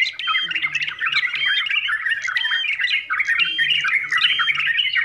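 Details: Yellow-vented bulbul chatter, noisy and suited to beginners as a master or training song: busy, bubbling, scratchy phrases run almost without pause at a mid-to-high pitch, with sharp squawky notes, possibly from several birds.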